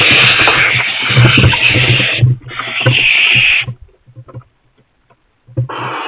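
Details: A young barn owl in a kestrel nest box, fed mice by its parents, makes loud rough hisses amid heavy low rumbling and scraping, then a pause and a fresh hiss at the end.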